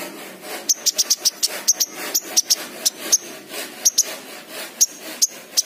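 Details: Lure recording of a king konin sunbird, used to stir a raw bird that is reluctant to sing: sharp, high, metallic ticks in quick irregular bursts of two or three over a noisy, hissing background.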